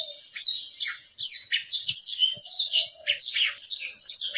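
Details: A captive lark kept at a bird keeper's home in Jiaocheng pours out a fast, continuous song of high, varied trills, chirps and sweeping whistles, phrases tumbling together with hardly a pause.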